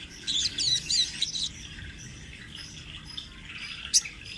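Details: Spotted 'trotol' crimson sunbird, recorded as a master for training birds, giving a brief rolling 'ngerol' phrase: a fast high buzzy trill of about a second, followed by quiet background and one sharp chirp.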